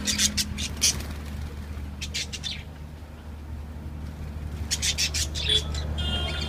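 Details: Lovebirds kept in a cage let out bursts of piercing, scratchy chirps, a pause in the middle, then another noisy cluster, with a low hum throughout.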